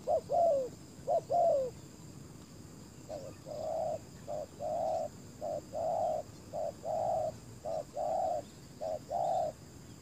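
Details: Spotted dove decoy luring wild doves to a ground trap. Two falling two-part coos open the sequence. After a pause, a long series of short-plus-long coos follows, with the longer notes held level rather than dropping.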